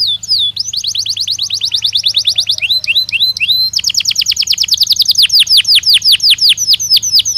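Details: Belgian canary song, long rolling trills of quick downward-slurred notes, briefly broken by looping whistles, then resumed as a loud fast trill; faint low hum beneath.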